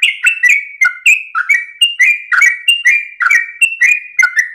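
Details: Yellow-vented bulbul, dawn 'ropel' song: fast, loud, bubbling whistled notes with downward slurs, packed closely in an even rhythm.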